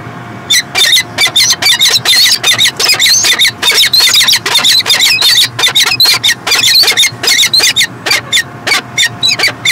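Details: Peregrine falcon in Montreal, Canada, 2016, calling loudly and continuously, a fast chattering run of harsh, rasping notes, roughly four to five a second, barely pausing across the whole stretch.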